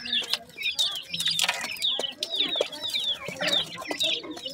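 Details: A group of grey francolin chicks at feeding time, with rapid, overlapping high peeps and downslurred chirps about twice a second, mixed with clicks and soft fluttering knocks.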